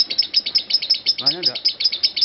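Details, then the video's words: Lovebird performing ngekek, a long unbroken high trill: rapid, evenly pulsed sharp chattering notes roughly six per second, while a man talks in the background. "Aksi Ngekek Love Bird Marco 5 Menit 25 Detik Tanpa Putus"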